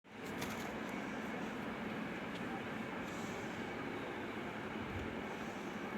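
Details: Continuous broadband rumbling roar like a passing train or heavy machinery, with no animal voice heard.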